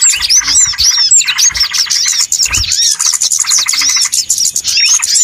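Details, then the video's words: Lure recording of noisy small birds for trapping: a thick wall of rapid, high twittering, with curved whistled notes and buzzy pulses packed together throughout. "SUARA PIKAT BURUNG RIBUT"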